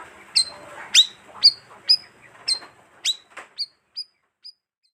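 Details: Bayeman lure call used to attract wild birds; several strong, high, downward chirps that fade into a few quieter, spaced tweets at the end.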